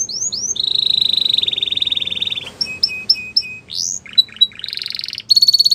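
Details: Canary singing, used to encourage other canaries to sing: opening rising whistles, then a long, steady, buzzy trill lasting about two seconds, followed by clipped chips, quick rising notes and a final rapid rattle.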